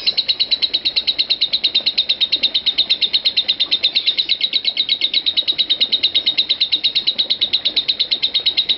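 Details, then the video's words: Lovebird ngekek song, the 'konslet parah' style used as a master recording to lengthen other lovebirds' ngekek. Rapid, high, shrill chattering pulses come about three per second in a steady, unbroken run. "Suara Lovebird Konslet Parah"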